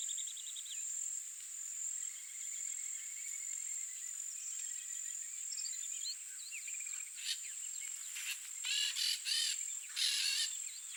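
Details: Wild peach-fronted parakeets in Brazil give harsh, grating screeches in short bursts near the end, over thin chirps from other birds and a steady high insect whine.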